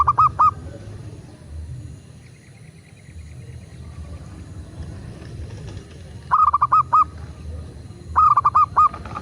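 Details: Local zebra dove calls, used to prompt caged doves to sing. A short burst of rolling coos opens the recording, then a quiet gap with low rumble. Two more quick coo phrases follow near the end.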